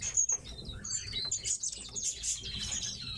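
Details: Caged tits give scattered high, sharp chirps and squeaky notes, with wing flutters and rustling movement around them.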